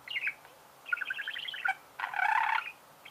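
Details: Budgerigars warbling in a dense, scratchy chatter of rapid chirps and creaking notes, including one long, loud burst.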